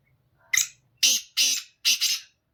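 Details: Black francolin singing: four harsh, rasping bursts in quick succession within about two seconds, a short first note followed by three longer grating ones, with a quiet indoor background.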